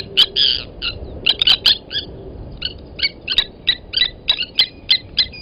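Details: Agitated Blacksmith lapwings at a Djuma Game Reserve waterhole, South Africa, 07:47 on 29 August 2020, as an adult kills a nest chick; rapid, overlapping metallic clinks in near-continuous bursts.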